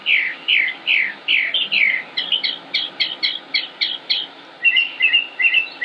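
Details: Northern mockingbird (Mimus polyglottos), a male singing endlessly without repeating songs, Concord, North Carolina, United States, 25 May 2016; a run of rounded whistled notes shifts to fast sharp chirps, then a trilled twittering phrase repeated twice.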